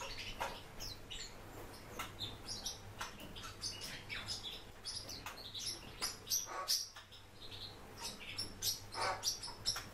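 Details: Captive Japanese white-eye twittering busily, a dense series of short, high, sharp chip notes, about two or three a second with uneven spacing, against a constant low hum.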